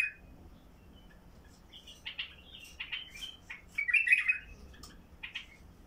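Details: Basra bulbul, heavy-throated singer used to open up silent bulbuls: soft scattered notes build to one loud, rolling, throaty phrase, followed by a few short chirps.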